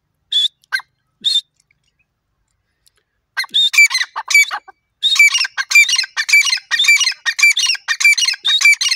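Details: Grey francolin pair calling: three isolated high squawks, then a loud, rapid, overlapping run of harsh, rhythmic, grating phrases, repeated almost continuously.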